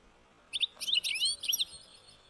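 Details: European goldfinch song: a quick burst of bright, liquid twittering notes with fast trills and short rising and falling slurs lasting about one second, then quiet.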